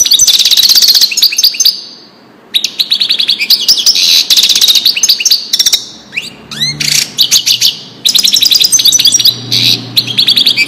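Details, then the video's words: European goldfinch delivering Wedani-style song for training chicks: long, dense runs of bright twittering and trilled notes, broken by a few brief pauses and some clear downslurred whistles. "تغريد الحسون لتسميع الفراخ"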